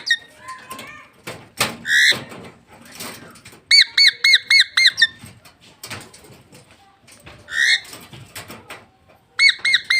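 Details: Pet parrot kept indoors, giving a mix of harsh squawks, squeaks and repeated rapid whistled notes in bursts, some short speech-like sounds, with room noise between calls.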